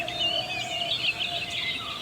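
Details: Purple sunbird in Goa, India, giving high, thin twittering chirps in quick succession, with other forest birds overlapping and a steady low insect-like drone underneath.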